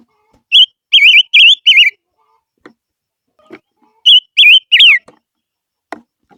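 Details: Silver-eared mesia singing its lure song, two phrases of four rapid wavering whistles, with soft clicks in the pauses.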